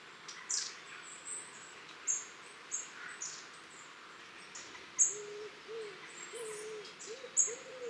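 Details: Garden flock of long-tailed tits on 23 October 2015 calling with frequent very high, thin tsee notes and short buzzy bursts; in the second half a lower, soft, repeated hooting or cooing from another bird runs underneath.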